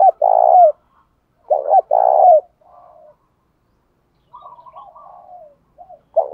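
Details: Spotted dove fight-provoking coo, used to stimulate wild doves: two rich, throbbing phrases with falling ends, then softer fluttering notes and a fresh phrase beginning.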